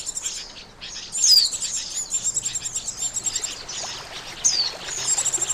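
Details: Oriental white-eye lure for trapping: soft high twitter swelling into a sharp downward whistle, followed by evenly pulsed chirps and another slurred note.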